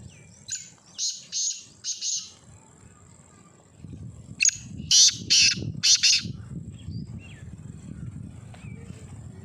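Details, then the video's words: Black francolin (kala teetar) repeating its call twice: a phrase of three or four harsh, buzzy, scraping notes, a pause of about two seconds, then a louder similar grating phrase. "Black Farncolin/kala teetar ki awaz"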